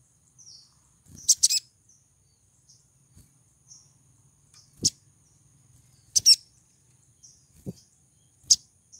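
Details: Female crimson sunbird in heat calling to attract a male, repeating sharp, very high chips, single or doubled, roughly every one to two seconds, with faint thin twitters between them.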